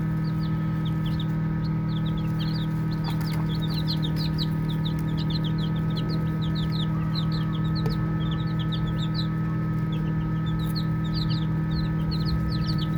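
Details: Many baby chicks peep steadily while playing; brief upward-sliding chirps cluster in bursts above a persistent deep hum, with faint clicks.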